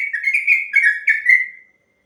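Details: A brief stretch of yellow-vented bulbul ropel song for tutoring other birds: four or five slurred whistled phrases, each a little longer, fading out at the end in a clean, quiet setting.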